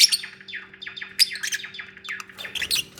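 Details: Lovebirds sharing soft bonding sounds at the nest: a continuous high twitter of rapid, sweeping chirps, each sliding down in pitch, with brief louder squeaky peaks and a soft rustle near the end.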